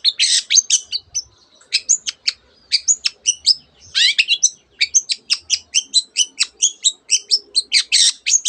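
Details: Long-tailed shrike, its song stuffed with canary and other bird imitations: loud scratchy bursts followed by long runs of evenly spaced, sharp, high two-part chirps, several per second.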